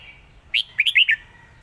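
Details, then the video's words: A brief red-whiskered bulbul phrase in the lak wai style, one clear note followed by four quick bouncy whistles dropping at the end, above a low background hum. "นกเสียงทอง!!เพลงลากหวาย สุดยอดเพลงแม่บท#นกกรงหัวจุก"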